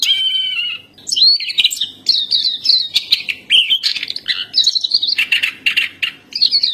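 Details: Black-capped white-eye 'gacor' tutor song. It opens with a steady lower whistled tone, then breaks into choppy high chirps and sliding twitters in short bursts with brief gaps.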